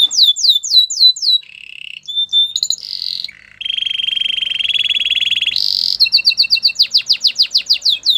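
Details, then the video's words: Canary running through many tours: repeated descending whistles, brief buzzy and piping segments, a long rapid trill, a bright burst, then fast rhythmic slurred notes. The recording is clean. "Canary bird sounds | Your canary will sing a lot"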